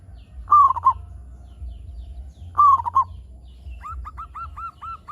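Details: Local zebra dove (perkutut) in song to lure other zebra doves into calling: two quick stuttering cooing phrases about two seconds apart, followed by a run of six short arched notes, against a low steady hum.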